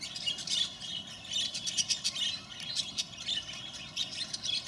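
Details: Bourke's parrots (Neopsephotus bourkii), several birds chattering over one another in a steady stream of high, twittering chirps and soft squawky notes, with a faint hum beneath.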